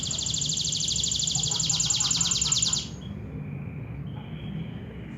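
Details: Local canary singing a loud, fast, high trill of evenly repeated notes for nearly three seconds. It stops abruptly, and a few faint thin whistled tones follow over a steady low background rumble.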